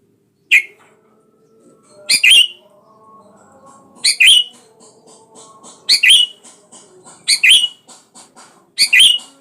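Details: Sooty-headed bulbul calling a rival to provoke it into singing: six loud, bright two-part phrases, a sharp clipped note then a bubbly rising-falling whistle, repeated about every one and a half seconds over faint steady background tones.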